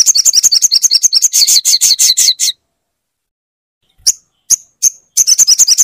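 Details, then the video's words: Crimson sunbird song played to spur a silent caged bird into singing: rapid, very high chirping trill of sharp notes, about three per second, broken by a pause and a few separate sharp chips before the trill resumes. "pastikan sogon macet dengar suara ini"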